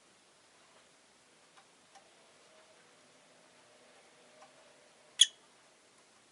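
A near-silent small room with a few faint ticks and one sharp click late on; no animal calling.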